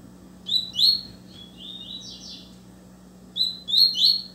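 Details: Double-collared seedeater singing intensely at another bird: a burst of loud high slurred whistles, a softer trailing run of notes, then another loud burst after a short pause, with a low steady hum in the background.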